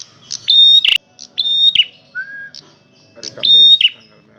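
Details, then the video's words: A male red prinia sings loudly, with flat high whistles sliding into buzzy downward notes, a sharp click, and a lower drawn-out whistle between phrases. "suara burung prenjak merah jantan gacor volume keras"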